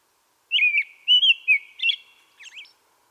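American robin singing: four or five clear, whistled caroling phrases that rise and fall, delivered in quick succession over quiet background.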